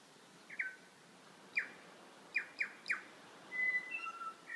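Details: Wild birds calling in Abel Tasman National Park: scattered short, sharp, downslurred whistles, then longer drawn-out whistled tones near the end, over a steady hiss of background noise.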